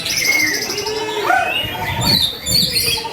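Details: White-rumped shama singing steadily, used to provoke other shamas into song: varied clear whistles, a long flat high note, then quick rising and falling phrases and sharp high chips, with faint low background noise.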